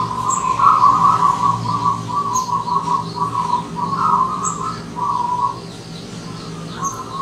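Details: Local wild zebra dove singing in the morning: long trilled, bubbling cooing phrases at a steady mid pitch, repeated with short pauses, alongside faint high chirps from other birds.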